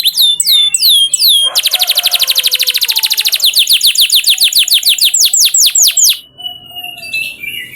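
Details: Lure song of a canary for training other canaries to sing fast: a few falling whistles, a long rapid trill that slows into loud downslurred notes, then a brief quieter high whistle at the end.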